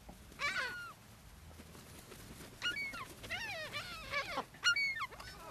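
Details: Gulls fed on the sand at Brean, Somerset, England, on an April spring day in 2013; repeated shrill, harmonic, down-arching squeals come in quick groups, several birds overlapping, with steady background surf.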